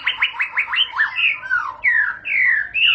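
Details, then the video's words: White-rumped shama (murai batu) singing a lively phrase: a quick run of five rising whistled notes, then longer slurred whistles that swoop down and up, loud and clear against a quiet background. "Murai batu bakal langsung ngentrok"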